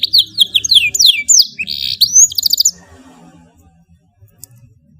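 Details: Canary singing a long, soft training song for young birds: rapid whistled trills and slurred notes in bursts for nearly three seconds, then fading to quiet with low background hum.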